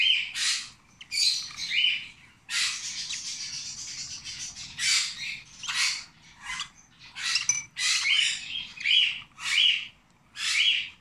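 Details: Rosy-faced lovebird chick, 26 days old, being hand-fed; harsh buzzy squawking bursts, some long and continuous, others short and repeated about once a second, broad and high-pitched with a whistled tone near the top of each burst.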